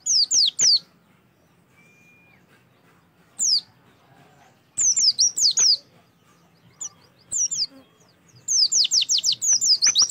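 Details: Oriental white-eye singing, a recording meant to coax a cage bird into song: short clusters of high, sweeping whistles separated by pauses, with a longer chattering run of descending notes at the end.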